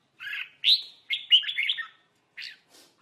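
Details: Red-whiskered bulbul in a singing fight: a few bright, slurred whistled phrases followed by a brief pause and a single short note, in quiet surroundings.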